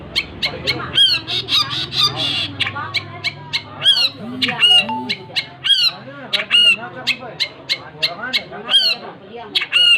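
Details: Long-tailed shrike singing loudly, a dense run of sharp chattering notes and bright whistled phrases, with softer lower warbles and a steady background hum.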